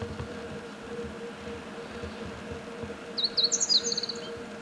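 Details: After a stretch of quiet hum, a meadow bunting delivers one quick, high, jingling song phrase of sharp slurred notes near the end.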